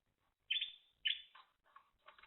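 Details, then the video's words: Timbrado canary from 2023 singing two bright rolling trills in quick succession, then softer lower warbling notes and a quiet buzzy ending. "Timbrados Canary"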